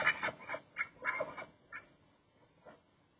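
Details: Loud duck quacks, about six raspy calls in the first second and a half, fading to a few softer quacks and then quiet.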